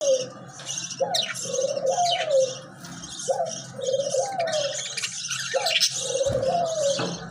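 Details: Pet budgerigars chatter in a busy, high, scratchy warble of quick chirps and squeaks, over a lower soft cooing phrase repeated every couple of seconds.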